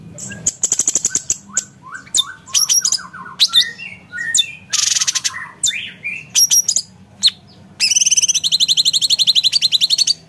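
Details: Cucak cungkok, the grey-cheeked bulbul, in sharp 'nembak' tutor song for contest birds: rattling bursts, down-slurred whistles and harsh chatter, ending in a long, rapid, even trill.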